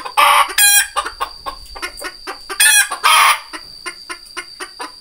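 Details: Red junglefowl gives two harsh, loud squawking bursts with rapid, evenly spaced clucks between them, over a steady high-pitched whine.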